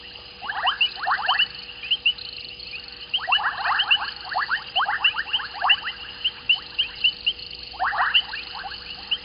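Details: White-faced whistling ducks at Gowrie dam waterhole, Djuma Game Reserve, Sabi Sand, South Africa, 19:35 on 14 January 2021, from a fixed live camera. Bursts of rapid rising whistles come in clustered series, with thinner high notes above and a steady low hum.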